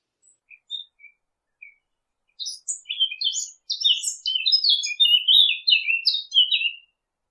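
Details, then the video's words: A few scattered high tweets open, then a dense chorus of bird chirps builds. Bright, short, slurred notes overlap rapidly and continuously in a lively twitter. "نصف ساعة من صوت العصافير الجميل ، Yarım saat kuş cıvıltısı ، Half an hour of birds chirping"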